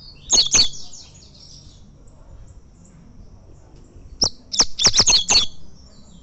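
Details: Tournament-champion coleiro, a double-collared seedeater, singing two bursts of high, sharp staccato notes: a short pair, a pause of over three seconds, then a rapid run of six or seven clipped notes.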